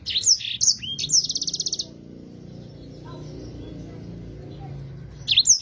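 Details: Yellow-fronted canary in full, clear song for teaching other cage birds: two piercing whistled notes, a short upslur, then a fast even trill; after a quiet stretch with a faint low tone, another whistled burst begins.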